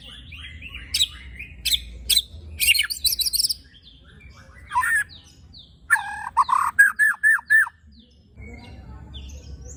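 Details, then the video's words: White-rumped shama rattles and shots with rough fill: scattered sharp clicks and chattering bursts, harsh broadband notes, then a fast run of about eight short loud chips and softer scratchy notes. "Tembakan Dan Besetan Murai Batu Isian Kasar Ampuh Memancing Emosi Murai Batu - Shama Bird"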